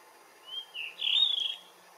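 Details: Blue rock thrush singing in the morning sun: a short phrase of clear whistled notes, a thin rising note, then a brief lower one and a longer warbled, slightly wavering note, over a quiet background.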